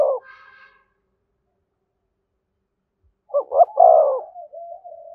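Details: Spotted dove 'thúc gù' call near a decoy bird: a brief coo ending, a long pause, then one phrase of a double hiccup note, a drawn-out low coo and a trailing soft murmur.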